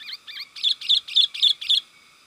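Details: Sooty-headed bulbul lure call to attract wild birds: two soft chirps followed by five loud, evenly spaced bubbly notes, about one every quarter second.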